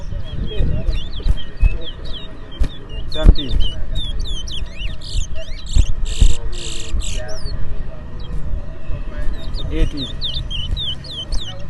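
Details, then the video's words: Caged Lesser Seed Finch (towa towa) in a two-bird singing race, Berbice, Guyana: long run of bright, high sweeping whistles and trilled bursts, broken by sharp clicks, with people talking and a low background hum throughout. "TOWA TOWA BIRD RACE"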